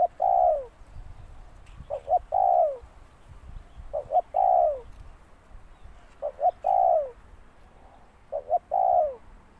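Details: Repeated spotted dove calls: each phrase has two quick notes and a long, descending coo. There are five phrases, spaced roughly two seconds apart, over light background noise.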